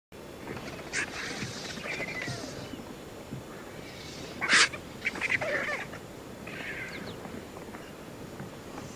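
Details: Vultures, White-backed, Hooded and a couple of Lappet-faced, fight each other while feasting on a buffalo carcass beside the Shingwedzi river in Kruger National Park; scattered harsh, raspy squawks and loud broadband bursts over a steady background hiss.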